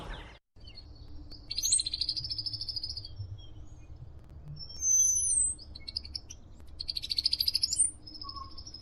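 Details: Brown-headed Cowbird at Somenos Marsh, Vancouver Island, BC: two bursts of rapid, high, dry chatter about a second long, broken by thin, very high sliding whistles, like the female's described high chatter with peeps, over a low hum.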